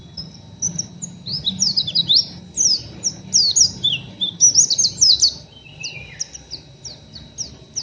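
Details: Oriental white-eye, a young untrained cage bird, giving rough ngeriwik chattering: dense run of high, quick twittering notes and sharp up-and-down slurs, briefly pausing, then a lower falling phrase near the end; faint low hum beneath.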